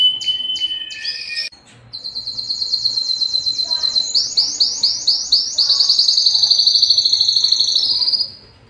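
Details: Belgian canary singing its loudest song to attract females for breeding: high chirps, then a rapid trilled series of repeated notes climbing into a long, even, bright roll held for several seconds.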